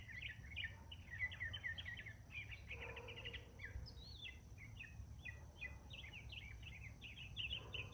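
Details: Northern mockingbird, a male, singing multiple songs in the morning: dense rapid series of repeated chirping and trilled phrases changing every second or so, with faint insect-like ticking and low rumble.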